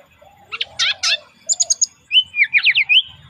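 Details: Brown-chested jungle flycatcher sings a relaxed lure song: harsh rasping notes, a quick high tinkling trill, then a tumbling warble of rising and falling whistles.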